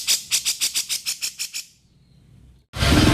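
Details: Harsh kasaran call of a Grey-cheeked bulbul, recorded to train cage birds: about ten evenly spaced, scratchy chattering notes that slow and fade, then quiet, ending in a sudden loud noise burst.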